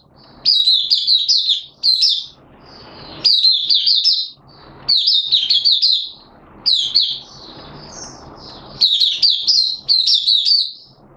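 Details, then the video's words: Caged Malaysian Oriental white-eye (mata puteh) in happy open 'buka' singing, recorded 25 February 2023: high, thin twittering phrases of rapid, jumbled notes, each about a second long, repeated in five bursts with short silent gaps between. "Malaysian Mata Puteh Happy Buka Sing"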